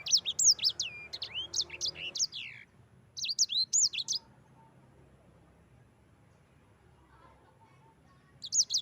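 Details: Yellow-fronted canary song meant as a training master for other birds: a fast run of high, bouncing whistled notes, a brief second phrase, long quiet stretch, then singing resumes at the end.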